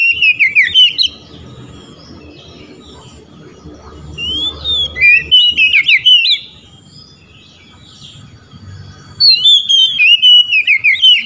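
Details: Oriental magpie-robin calling to rival birds, which respond; three separate bursts of bright, warbling whistled notes with quiet stretches of faint background hum between them.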